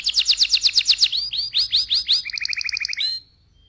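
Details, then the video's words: Vigorous AF canary rolling song at high volume: a fast run of bright high notes, then slower swooping whistles, a quick two-tone trill, and an abrupt stop into near silence. "KENARI AF GACOR, NGEROL VOLUME KERAS"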